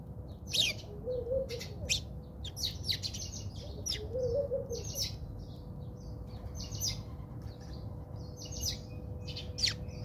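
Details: Backyard fight among house sparrows, South Africa; busy overlapping chirps and chatter from several birds almost without a break, plus two brief lower warbling notes from another bird early on.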